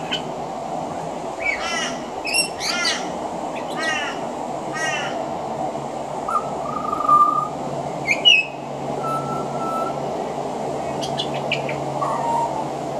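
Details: Pied butcherbird song with mimicry of other Australian birds, sung on a veranda: bursts of rough, chattering calls, then clear, drawn-out whistles and a few sharp rising notes, backed by a continuous low hum.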